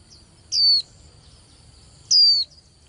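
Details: Young female white-eye used to rouse male birds before singing contests: two shrill, high whistled notes falling in pitch, about one and a half seconds apart, with soft low hum below.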